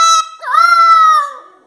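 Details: A pet parrot, coaxed to sing the song "Fuscão Preto", sings a drawn-out, nasal note from the tune, clear and voice-like with rich overtones, holding it for nearly a second before it fades.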